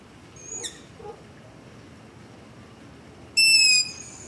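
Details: Long-eared owl begging call at night close to a house, ZOOM H5 with LOM Usi Pro microphone: a faint distant squeak, then a loud, high-pitched, wheezy screech lasting about half a second, with soft hiss throughout.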